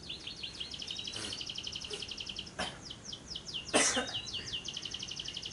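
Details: Lovebird ngekek, a long trill played as a lure for day or night to get other lovebirds singing: fast, high, buzzy repeated notes in extended runs, broken by a few sharp clicks.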